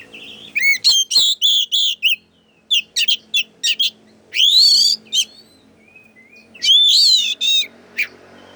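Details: Agitated Oriental magpie-robin song meant to provoke other birds; high, rapid whistled notes and sharp chattering bursts with rising and falling sweeps, delivered in uneven phrases over a faint low hum.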